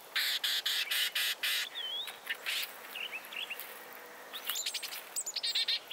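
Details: Carolina wren (Thryothorus ludovicianus) in an autumn backyard setting opens with a rapid, harsh buzzy chatter of about six quick bursts; other songbirds follow with thin whistles and scattered high chirps.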